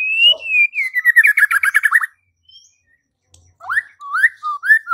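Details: Murai batu, the White-rumped shama, singing as a lure for fighting and song: a gliding whistle leads into a fast rattling trill, a pause, then several rising, slurred whistled notes.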